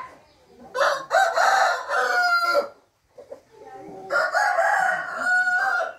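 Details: Domestic rooster crowing on 15 June 2021. Two loud, rasping cock-a-doodle-doo crows about two seconds long, with a brief pause and a soft cluck between them.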